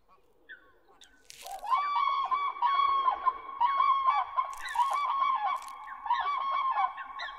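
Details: Common cranes (Grus grus) in a mating ritual at Gjennestadvatnet in Norway, giving loud, rolling trumpeted calls with rich overtones, notes following one another rapidly and overlapping as birds call together, after a short quiet start.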